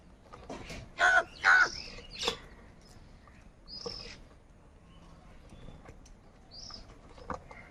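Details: Crows in the morning: two loud rasping caws back to back, a softer third, then quiet with occasional thin high chirps of other birds.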